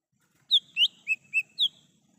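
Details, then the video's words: Lesser green leafbird in the wild, a recording meant as a lure and call for catching birds: five loud, clear whistled notes in quick succession, alternating higher and lower, over faint low background rumble. "Suara asli cucak hijau mini / cucak Rante di alam liar bisa untuk pancingan dan panggilan"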